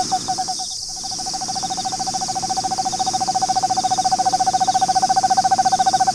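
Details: An Eastern screech owl in its nest box in Austin, Texas, where a pair has nested for 4 years, gives a long, even, low-pitched trill of rapid pulses that grows steadily louder, with one brief knock near the start.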